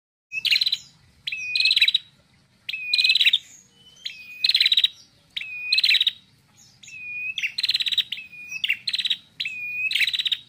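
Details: Female red-headed prinia from Indonesia singing loud, clear and long: repeated phrases of a drawn-out whistled note followed by a dense, buzzy trill, about one phrase every second, with brief gaps between.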